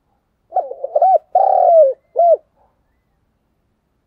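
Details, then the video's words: Decoy spotted dove in full voice, its coo phrase clear and forceful: a brief stammer of soft notes, a sustained vibrating hoot falling in pitch at the end, and one short closing coo, with no other sounds. "cu gáy thúc gù, sung và rất căng// tiếng cu gáy mồi chuẩn"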